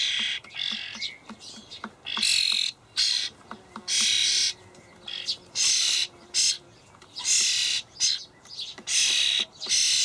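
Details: Young common starlings begging in a Hamburg allotment garden on 28 May 2012 while parents feed them dried buffalo worms; harsh, broadband rasping bursts about half a second long, repeated in irregular runs, with faint ticking clicks between.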